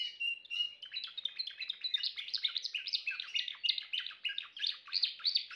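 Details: Timbrado canary in continuous song: a short whistled opening followed by a sustained, fast rolling trill of bright pulsed notes that stays loud and steady throughout.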